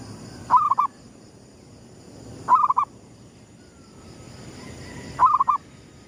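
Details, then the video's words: Sunrise cooing of a zebra dove, gedong mengo style, played as a lure for trapping: three brief warbling coo phrases repeated every two to three seconds, with continuous low hum and a thin high whine behind. "suara pikat perkutut gedong mengo,manggungnya pas menyongsong mentari terbit"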